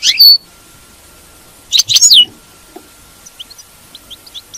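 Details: Goldfinch twittering meant to stimulate a caged goldfinch's song: a short high chirp burst, then a second busier phrase of liquid notes with a falling whistle, followed by faint scattered pips.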